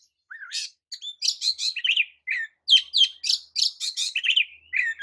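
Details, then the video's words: Oriental magpie-robin song, a type said to provoke other magpie-robins into an agitated reaction; rapid varied phrases of clear whistles, sharp chirps and buzzy notes, with an opening rising-falling whistle and short bursts separated by brief gaps. "JENIS KICAU KACER TERAMPUH JADIKAN KACER AMAPAT LANGSUNG TERPIKAT EMOSI!"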